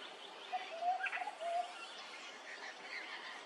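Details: A Peaceful Dove at Hervey Bay, Queensland, gives a quick run of soft, mellow coos over about a second, with faint higher bird chatter and a steady background hiss.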